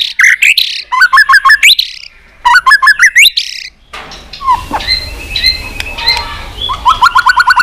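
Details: Competition singing of a white-rumped shama with many voices: bursts of fast, loud rattling trills with sharp up-slurred notes, a pause, then quieter whistled phrases and a closing rapid repeated trill.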